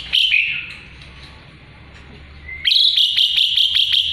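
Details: Singing Asian pied starling (jalak suren), used as a song source for murai batu: a rough screech, a pause with a soft rising whistle, then a rapid rattling string of sharp chips.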